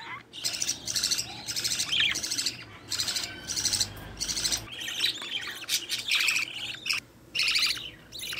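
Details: Budgerigar nestlings of a green-line pair, one carrying opaline, calling while their mother feeds them; loud buzzy rasping bursts of about half a second repeat roughly every second, interrupted by brief silences.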